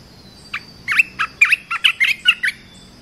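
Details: Training song of a red-whiskered bulbul for young birds: a string of about eight short, bright, liquid whistled notes repeated quickly over two seconds. A constant high-pitched hum sits behind them.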